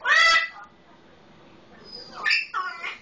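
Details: Pet Solomon Island eclectus parrot talking like a red-lored amazon: a short harsh squawk with rich harmonics, a pause, then a thin rising whistle leading into two raspy chattering calls.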